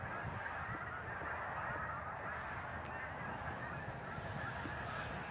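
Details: Migrating geese at Lake Champlain, northern New York, producing a continuous wash of overlapping honks over a fairly loud, even background rumble.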